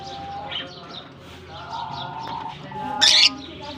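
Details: Colony lovebirds in Germany at the start of the summer season; soft overlapping chirps and whistles, broken by a loud shrill burst of squawking lasting about a quarter second near the end.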